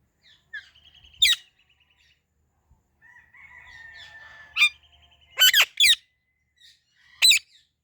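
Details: Rose-ringed parakeet, described as a talking ringneck parrot, giving sharp chirps and short harsh squawks spaced through the recording, with a burst of several loud calls near the end and a faint buzzy tone between them.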